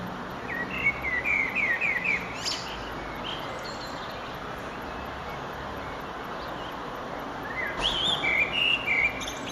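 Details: Eurasian blackbird singing at sunset on 9 June 2011, under an eastern sky: a run of short warbling phrases near the start and another late, clear whistled notes with higher twittery ends, over steady background noise.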